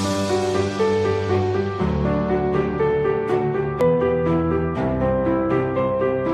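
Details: Soft, tender piano music plays throughout, with steady chords and a slow melody and no animal voices.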